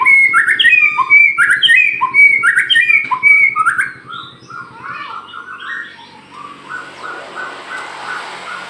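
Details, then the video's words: Aceh white-rumped shama singing energetically while spreading its tail: loud, rich phrases of rapid whistled and slurred notes, about two per second, fading after four seconds into softer, lower warbles over a rising hiss. "murai batu aceh gacor kesurupan kapas tembak buka ekor"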